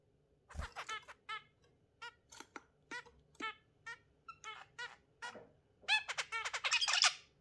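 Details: Exhibition zebra finch and budgie pair in the morning: rapid, nasal, buzzy notes and squeaky stacked calls rising into dense, busy chatter at the end; budgie chirps may be mixed in.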